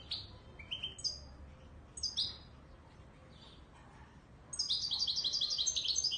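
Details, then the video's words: European goldfinch of the authentic Moroccan Wedani Marrakshi type singing: high, bright twittered notes and short slurred phrases separated by pauses, then a rapid, ringing trill running continuously through the final second and a half; faint low hum underneath. "تغريد_الحسون_الويداني_المراكشي الأصيل"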